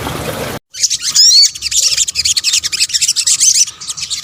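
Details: Sunbird, locally called sogok ontong, in a combined lure recording for attracting birds: after a brief noisy opening, dense high twittering chatter with quick upswept whistled notes runs continuously.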